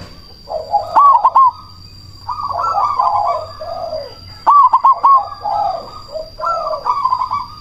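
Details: Loud-voiced cemani zebra dove, singing as a lure to provoke rival doves into replying. Repeated phrases of clipped, bouncing coos are followed by rolling purrs and lower dipping notes, several seconds apart. A steady high electronic whine underlies the song.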